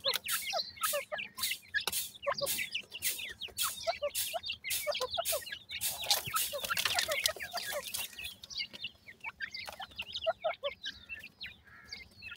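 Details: Grey francolin chicks feeding amid rhythmic loud clicks or pecking taps, their high thin peeps rising and falling in a busy overlapping chatter that thins out toward the end.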